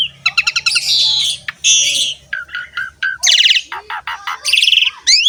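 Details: Asian pied starling song for prompting young or quiet birds to sing: fast trills, harsh buzzy bursts and short repeated notes, with a faint low hum beneath.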